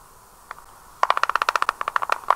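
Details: Black stork at a nest in Karula National Park, Estonia, clattering its beak to communicate with its mate: a fast, dry rattle of about fourteen clicks a second, lasting over a second, after a single sharp click.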